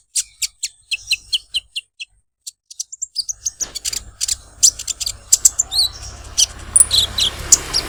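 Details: Olive-backed sunbird giving a series of sharp high chips spaced about a third of a second apart, then faster scratchy notes over a rising background hiss.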